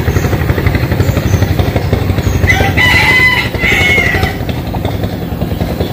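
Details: Morning crow of a rooster at a rural home in western Vietnam, one drawn-out crow in the middle with a flat, high note, against constant low vehicle engine noise.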